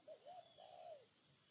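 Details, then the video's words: Spotted dove from Ninh Thuận, Vietnam, giving a short cooing phrase: two quick soft hooting notes followed by a longer, drawn-out coo that rises slightly and then falls away, all mid-low pitched, with faint background hiss. "Cu Gáy Ninh Thuận"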